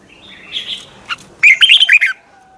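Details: Red-whiskered bulbul singing in the morning, long double twisted style for training birds; soft warbled notes first, then a loud, quick string of short whistled slurs lasting under a second.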